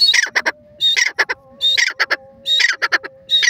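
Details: Francolin known locally as Rohilla or Irani teetar giving loud, harsh, clipped notes in short grouped phrases about every 0.8 seconds, with a faint steady low hum underneath.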